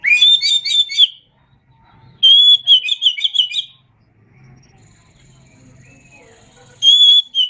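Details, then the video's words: Singing Oriental magpie-robin on a songbird tutor track. Loud warbled phrases mix whistles and fast chirps, followed by soft lower notes and a faint background hum before the next whistled phrase. "Masteran Suara Kacer"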